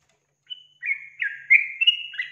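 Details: Yellow-vented bulbul lure song: a thin high opening whistle followed by a few liquid, slurred chirps running together in under two seconds.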